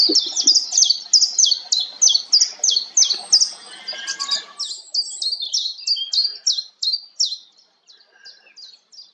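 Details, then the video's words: A common chiffchaff sings its steady 'chiff-chaff' song out in nature: high, clipped notes alternating in pitch, about three a second, fading softer toward the end over faint background rustle. "Common Chiffchaff"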